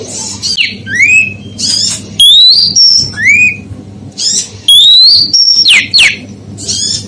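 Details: Provoking call of a female oriental magpie-robin: a dense run of bright rising whistles, level piping notes and sharp falling slurs, repeated in quick succession against a low steady hum.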